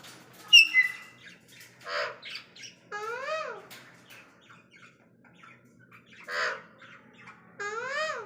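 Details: Cockatiel kept indoors in a small room: a sharp high chirp, then harmonic-rich squawks and rising-falling warbled calls in bursts every few seconds, with quiet gaps between.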